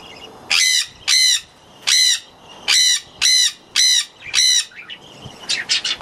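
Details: Jenday conures screaming: about seven loud, harsh, grating screams in quick succession, then a brief burst of softer, scratchy chatter.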